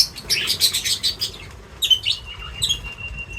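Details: Birds feeding chirp in a rapid run of high twitters with wing flutter, then give a few sharp notes followed by a long, thin, steady whistle.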